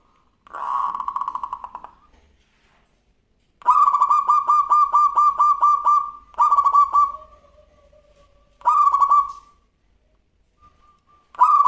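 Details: Local zebra dove singing actively in a clear, crystal-toned voice: loud cooing phrases of rapid throbbing pulses, each lasting one to two and a half seconds, given in five bouts separated by brief pauses, with some soft lower trailing notes between them.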